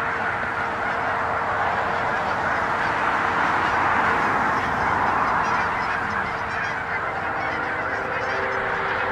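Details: Thousands of wild Canada geese crowd a pond in Hutchinson, Kansas, in late January 2011; a constant roar of overlapping honks swells in the middle, with a steady tonal hum behind the flock.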